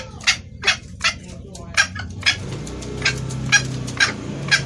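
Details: Female red junglefowl calling to attract a male, a clear voice used as a lure for males; short rasping high notes repeated about twice a second, slightly irregular, over a low background hum.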